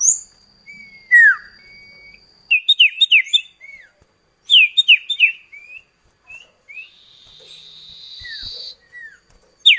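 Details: Lure duet of common ioras for prompting kept birds to sing: scattered clear whistles, two quick bursts of falling whistled notes, and a buzzy rasping phrase near the end.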